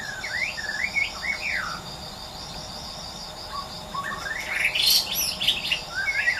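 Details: Wild white-rumped shama singing in natural surroundings: looping whistled phrases that rise and fall, a quiet interval, then a busy burst of high varied notes over a constant background of insect chirring.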